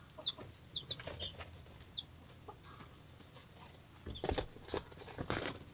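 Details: Young chicks, three days old, give a few sharp high peeps early on, then heavy scratching and shuffling takes over in the last two seconds.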